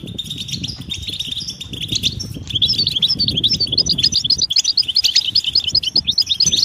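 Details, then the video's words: European goldfinch mating and readiness calls, used to stimulate silent males to sing: dense, rapid twittering of high, sharp notes, accelerating into quick repeated ticks in the second half, with low rustling noise underneath. "حسونك صامت لا يغرد أسمعه هذه البتبتة 💯💪💪 نذاءات التزاوج والتجهيز"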